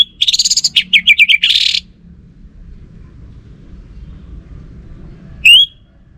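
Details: Orange-headed thrush, a kept bird, pours out a rich jumble of fast trills and looping whistled notes for under two seconds, then falls silent before one upslurred whistle.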